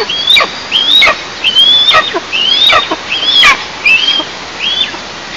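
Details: Eastern imperial eagle at its nest in a 20 m pine in southeast Tatarstan, nest camera, 11 July 2024 at 09:14: thin, high whistled calls that rise then drop, about seven in five seconds, with soft knocks behind.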